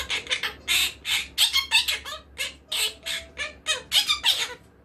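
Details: Monk parakeet kept as a pet squawking steadily: about fifteen loud, grating, noisy calls in under five seconds, a little over three per second, irregularly spaced, with a soft low hum behind.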